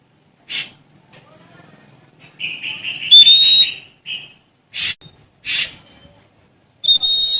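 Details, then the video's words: Sumatran Oriental magpie-robin in challenging song. Harsh scratchy bursts are mixed with a run of buzzy notes that rise into a clear whistle, then more rasping notes and a final ringing whistle. "Suara Asli Kacer Sumatra Gacor Cari Lawan"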